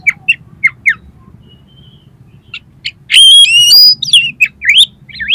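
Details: Oriental magpie-robin song used to train competition birds: paired upslurred chirps, a thin held whistle, then a loud rich burst of layered whistles and rapid twisting notes ending in repeated sweeping phrases.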